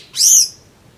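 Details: Brown-eared bulbul drinking juice on 26 April 2012 utters a single short, piercing, high note that swells quickly and slurs slightly downward, lasting under half a second.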